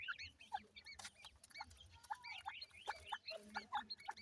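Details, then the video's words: Ring-necked pheasant chicks give short, clear, high peeps, often in quick pairs or downward-slurred notes, several birds at once, with a few knocks in the background. "Ringneck Pheasant bird Chicks,teetar chicks kiawaz"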